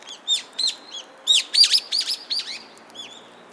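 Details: Cute sparrows at a Tenmangu shrine in Japan, recorded on 17 December 2016, giving high, sharp chirps in quick irregular bursts, some notes sweeping down, about three per second with short pauses, against a quiet background.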